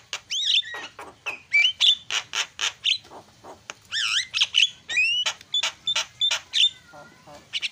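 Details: Javan myna (jalak kebo) song with fast fill phrases: a lively mix of rising and falling whistles, squeaky slurs and short harsh clicks delivered in quick irregular bursts.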